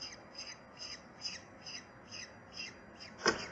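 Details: Falcon at the nest, parents with chicks: a steady series of short, harsh high notes, about one every 0.4 seconds, ending in a sharp knock, over constant background hiss.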